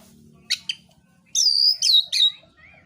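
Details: Oriental magpie-robin in fighting song to provoke rival birds; two short clicks, then three sustained bright whistles, each slurring downward, followed by a soft rising note.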